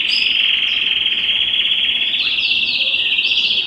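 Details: Belgian canary delivering an unbroken, even, high-pitched rolling trill held for several seconds, a warm-up song meant to stimulate singing and bring females into breeding condition.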